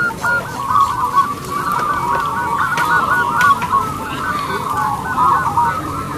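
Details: Loud, long-voiced local zebra dove kept as a lure singer; rapid strings of short, bright cooing notes run on and on through a busy chorus of other birds.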